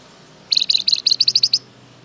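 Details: Flamboyan bird heard as a lure for other birds to answer: a rapid rattling string of about a dozen bright, very high chirps, speeding up slightly and ending abruptly.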